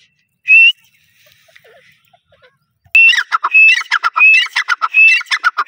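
Grey francolin giving loud, ringing whistled phrases, each a rising high note followed by harsh clucking syllables, repeated about once a second after a single opening whistle.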